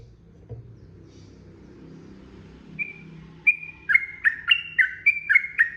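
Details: Sooty-headed bulbul lure song for provoking other birds to answer: low rumbling background at first, then a single whistle and a quickening series of sharp, falling double chirps.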